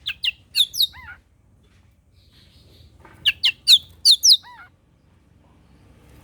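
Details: Oriental magpie-robin morning song aimed at provoking rival birds: two bursts of rapid, loud, scratchy high notes, each ending in a falling slurred whistle, separated by a soft quiet stretch.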